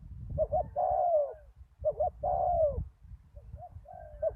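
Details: Spotted dove used as a ground decoy after a storm, answered by a big-voiced wild dove: two short rising hoots then a long, sliding coo that falls at the end, phrases repeating with brief pauses over low rumbling background.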